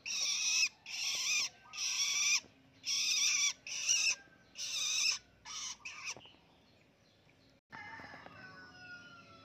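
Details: Independent young long-tailed shrike learning to sing, giving a run of loud rasping, broadband buzzy notes in quick irregular succession, then softer thin whistled slurs trailing off at the end.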